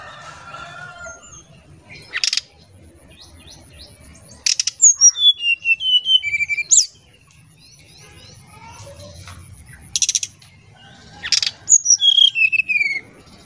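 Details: Oriental magpie-robin singing in the whistled 'nyuling' style, used as a lure sound: short harsh broadband bursts alternate with clear whistled notes, high and gliding downward in stepped phrases, repeated in several bouts.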